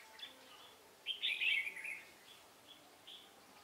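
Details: Red-whiskered bulbul from Hòa Bình being trapped with a decoy, 18 November 2017, flitting with fluttering wings. A single rich, jumbled, warbling phrase of about one second stands out between faint chirps.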